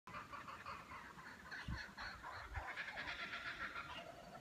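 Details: A kookaburra near New Pelion Hut, Cradle Mountain–Lake St Clair National Park, Tasmania, gives a harsh, rapid chuckling chatter in quick uneven bursts, with a couple of dull low thumps partway through.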